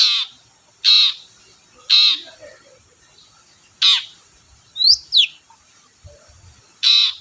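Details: Long-tailed shrike calling to stir other shrikes into song: repeated grating, scratchy bursts roughly once a second, with a pair of thin, swift upward squeaks in the middle.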